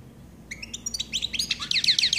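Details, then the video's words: Chaffinch singing a fast series of bright notes that speed up and tumble downward, building to a loud, busy flourish at the end, with faint low background noise. "Good coelebs song"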